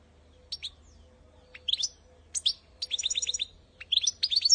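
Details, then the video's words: Goldfinch singing a training song for young birds in short separate bursts of tinkling, twittering notes, one phrase a rapid series of repeated chirps, over a faint steady low hum. "goldfinch best singing training singing for baby's"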